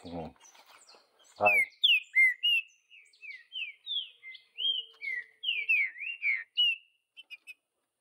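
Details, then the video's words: Green-winged saltator in the wild, Vidigal song style, in the bush: a brief low sound at the start and another near 1.5 seconds, then a steady series of loud, clear whistled notes, rising and falling, about three per second. "Trinca ferro Vidigal no mato"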